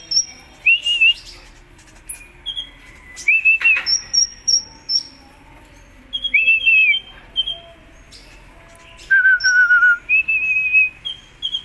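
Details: Vigorous contest-style song of a kolibri ninja sunbird: loud wavering whistled phrases spaced a second or two apart, mixed with very high thin notes and a lower trilled whistle near the end.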